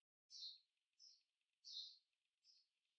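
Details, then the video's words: Purple sunbird: four short, high chirped notes about half a second apart, alternating louder and softer, with a faint background hiss. "Song of Purple Sunbird"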